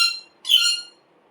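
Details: A green talking parrot gives a harsh, rasping screech, then after a brief pause a second strident, harmonic screech lasting about half a second, in a quiet room.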